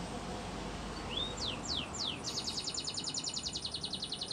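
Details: Spanish Timbrado canary song used for training: a few faint rising slurred whistles, then a fast, even trill of high notes repeated several times a second, over a steady hiss of background noise.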